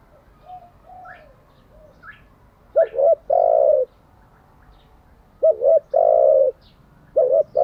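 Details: Cooing of a spotted dove for daily training of decoy birds. Soft faint notes and chirps lead into three phrases, each a quick two-part note followed by a long even coo. The last phrase is cut short.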